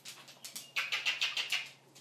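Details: Fourteen-year-old pet African grey parrot indoors gives a quick series of six short, bright chirps about every fifth of a second, with soft rustling before them and a faint room hum throughout.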